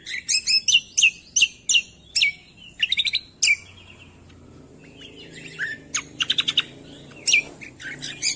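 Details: Cucak kombo song used as training material for songbirds: bursts of sharp, high chirps and rapid stuttered notes, some falling whistles, delivered in quick clusters with short pauses, with faint low background hum.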